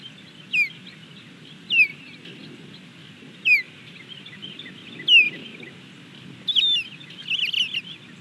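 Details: Female osprey on her nest in Montana, 27 May 2022, alerting after eating a fish on a nearby pole, recorded by nest camera: sharp, high downslurred whistled chirps about every one and a half seconds, ending in a quicker cluster.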